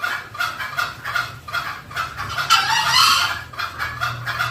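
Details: Green junglefowl lure call for drawing birds closer: regular short clucks swelling into one longer, louder, grating note near the middle before the clucking continues.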